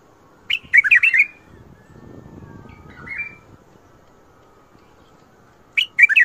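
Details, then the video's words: Bulbul singing the Mandali and Badra styles: a quick cluster of ringing, bubbly notes, a soft warbled phrase a couple of seconds later, then another bright cluster, with faint rustling between. "تغريد ارقى اطوار مندلي وبدره شدة ورد .وفجرلي. ورد تبرلي"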